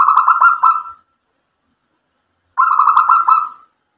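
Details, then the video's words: Two clean cooing phrases from a local zebra dove, each about a second of rapid rolling pulsed notes, about two and a half seconds apart, in a quiet setting; the bird is singing hard to get other doves to reply. "PERKUTUT LOKAL GACOR mbekur Ngerot memancing EMOSI jadi NYAUT BUNYI ikut MANGGUNG"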